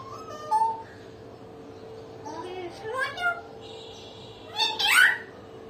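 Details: Pet common hill myna making a run of varied sounds: short whistles and speech-like syllables, rising wavering notes, then a loud harsh screech near the end, with a steady hum throughout.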